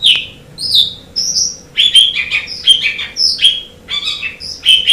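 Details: Asian pied starling, a master recording for song training of caged birds, gives a varied run of whistled and chattering phrases, some rising, some harsh, with brief pauses between bursts.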